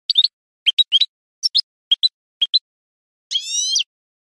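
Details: European goldfinch, on a Spanish training recording for cage birds: short separate chirps, mostly in pairs, spaced about half a second apart, ending in one longer nasal, buzzy, rasping note.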